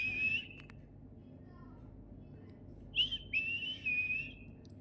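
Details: Pet parrot giving clear high whistles: a steady tone at the start, then after a pause a rising note and a longer wavering whistle. A constant low rumbling noise runs underneath.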